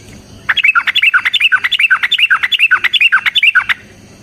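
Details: Yellow-vented bulbul in long, energetic fighting song used as a lure and master song: a rapid run of about two dozen bubbly, slurred whistled notes, evenly paced, then silence.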